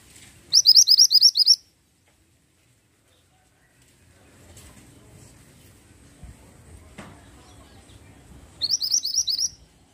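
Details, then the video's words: Pied bushchat singing vigorously: two bursts of about eight quick, high, upward-sweeping chirps in rapid rhythm, one near the start and one at the end, separated by a quiet stretch of low rumbling background. "BURUNG MANTENAN GUNUNG GACOR"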